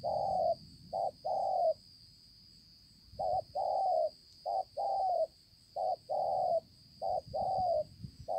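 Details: Spotted dove, a wild-caught 'bổi' with a fine spotted collar, recorded on 5 September 2020 at Konlong. Clear, mellow low coos come in short-long groups separated by brief pauses. A thin steady high-pitched hum runs throughout.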